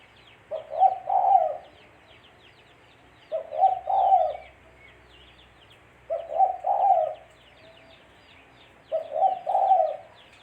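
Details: Lure recording of a spotted dove for trapping: four regular low cooing phrases about every three seconds, each two- or three-part and husky, against steady faint twittering of small birds.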